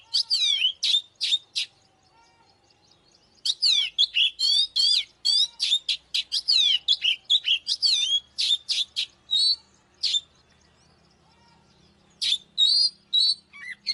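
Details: Oriental magpie-robin pouring out a fighting song: long bursts of loud varied whistles and chirps in quick succession, separated by quiet pauses of one to two seconds, ending with further bright phrases.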